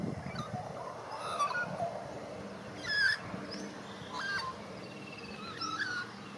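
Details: White-backed Australian magpie, young and learning its song, in Australia. Separate phrases of rich, whistled notes with harsh overtones come roughly every second or two, including a louder burst midway, over a low rumble.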